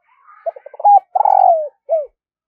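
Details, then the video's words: Spotted dove kept as a decoy calls in the morning to draw in wild doves: soft chatter, several short hoarse notes, a rising coo, a long vibrating downward coo and a closing short coo. "Tiếng chim cu gáy thúc và gáy gọi bổi vào buổi sáng"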